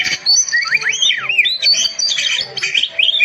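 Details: Oriental magpie-robin song for tutoring silent birds into full voice: sweeping whistled slurs that rise and dip, followed by dense chattering trills and sharp high notes, in a lively, unbroken stream.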